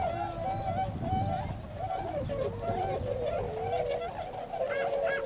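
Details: Tundra swans wintering at Azumino, Nagano, Japan, in February 2013, going out to feed in nearby fields; muffled, wavering honks mix with low background rumble, with a couple of sharper calls at the close.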